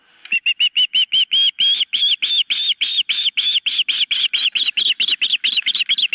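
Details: Osprey calling at the nest on 4 September 2023, captured by a nest camera: a rapid run of high, whistled chirps, each slightly arched, repeated steadily and growing louder and more drawn out after the first second.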